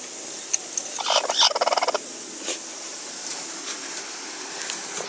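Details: A broody hen refusing makes a rapid, pulsed run of throaty clucks lasting under a second. A few scattered clicks and faint knocks follow in an otherwise quiet setting.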